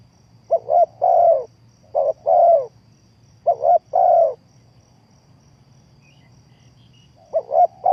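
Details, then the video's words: Spotted dove decoy used in trapping, repeating a coo-coo-croo phrase three times with a pause before a fourth begins; two clipped notes lead into a longer, slurred, falling coo. "The Sound Of Spotted Dove is good"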